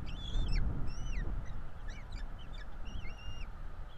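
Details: Bald eagle chicks begging at a Florida nest during feeding: broken high whistles and short chips, rising and falling, partly masked by loud low rumbling noise.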